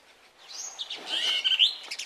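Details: Brahminy myna attacking house sparrows at their nest site: a short burst of mixed whistled and buzzy notes, sliding up and down, swelling into louder harsh squeaky notes near the end.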